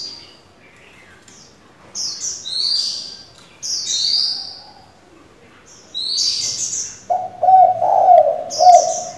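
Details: Spotted dove decoy switching calls continuously to train young doves; a low, broken run of coos near the end follows several sharp, high chirps from other small birds.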